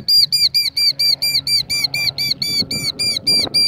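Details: A female Killdeer (Charadrius vociferus) gives a rapid series of high, shrill, downslurred notes, about two per second, during a broken-wing distraction display luring a person away from her eggs laid in rocks; faint background noise below.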